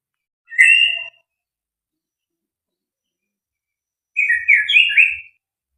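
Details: White-rumped shama (murai batu), a full-repertoire fighter bird, gives one short rich whistled burst. After a long silence comes a longer rolling cluster of varied whistles in quiet surroundings.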